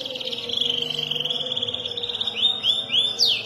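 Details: Young canary learning to roll: a sustained buzzy rolling trill at high pitch, followed by several quick upswept whistled notes.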